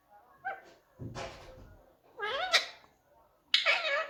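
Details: A pet talking rose-ringed (ringneck) parakeet gives four harsh, wavering, speech-like bursts about a second apart, mid to high pitched, in a quiet indoor room.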